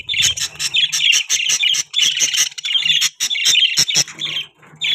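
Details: Budgies chattering in a breeding colony, a steady stream of short, high, scratchy chirps and squawks repeated rapidly with only brief gaps, plus faint low knocks.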